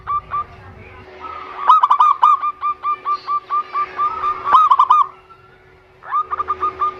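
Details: Zebra dove song played as a lure to prompt sluggish captive doves to sing: a long, even run of rapid staccato coos, pulsing in a steady rhythm, then a brief pause and a new burst, with a constant low hum behind.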